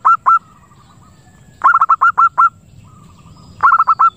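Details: Zebra dove lure call meant to attract birds and trigger breeding: clusters of clipped, staccato cooing notes. Two quick notes open the clip, then two runs of about six notes each follow after pauses, over quiet low background rumble.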